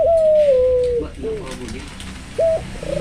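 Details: Albino Barbary dove, called a keen caller, giving a smooth drawn-out coo that slips downward and levels off for about a second, then a short soft note and, after a pause, a brief clipped coo.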